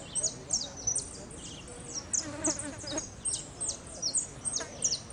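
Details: Saffron finch singing in a contest final of winners held 12-01-14, judged in the repique song style. Rapid, high, sharp chirping notes come in quick irregular bursts, with a faint murmur of background noise.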